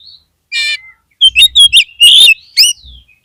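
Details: Oriental magpie-robin singing to encourage a caged bird: a harsh buzzy note, then a quick run of loud, sharp chirps and whistled notes with a rising final whistle.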